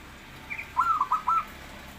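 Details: Zebra dove, a bird kept to become a frequent singer, uttering a single phrase: a faint high opening note followed by four soft rolling coos, against steady hiss.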